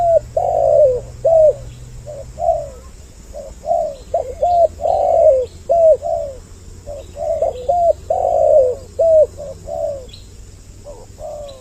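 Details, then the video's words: Luring spotted dove coos, doubled to attract males and females: steady, mellow, downward-curving notes repeated quickly and overlapping at times, with faint high chirps and a low hum underneath. "Suara Pikat burung Tekukur Mp3 Doble Suara"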